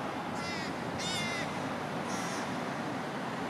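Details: Juvenile American crows, large enough to feed themselves yet still fed by their parents, give three short, harsh, nasal begging calls spaced about a second apart over a steady background hiss.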